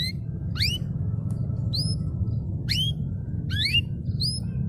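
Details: Canary in a master recording meant to start silent birds singing, giving single sharp rising whistled notes spaced about a second apart over a constant low background hum.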